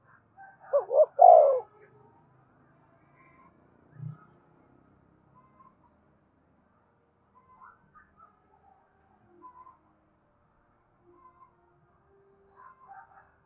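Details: Spotted dove giving a prompting coo for captive birds to answer. One three-part phrase near the start: two quick coos and a long falling croo. Then a long, near-silent stretch with a low thump and faint chirps.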